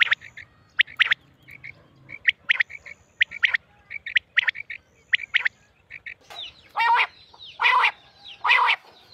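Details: Female quail calls used for hunting, Mianwali: quick irregular clusters of crisp chips, ending with three longer, rough, buzzy bursts.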